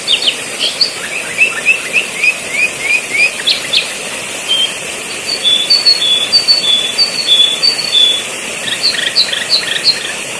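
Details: Sooty-headed bulbul song used as training material for luring birds: a run of short rising whistled notes, then higher clear piping notes in a steady series, with bright chirps near the end, over a constant high hiss.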